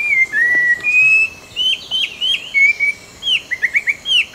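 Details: Orange-breasted laughingthrush, a Langbian Plateau endemic of southern Vietnam, calls with long level whistles followed by quick downslurred notes. A rapid cluster of short chirps closes the sequence, against a soft, even background of outdoor noise.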